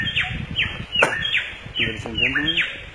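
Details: Wild samyong in forest habitat repeating short downslurred whistles roughly every half second, while a lower, rougher voiced sound briefly joins near the middle.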